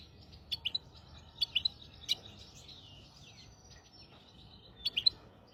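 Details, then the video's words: Hybrid finch song meant to teach goldfinches and canaries: clusters of high, sharp chirps with softer twittering and thin sliding notes between them, fading off before a final quick burst of three notes, with a faint low hum beneath. "تغريد رهيب طائر الهجين"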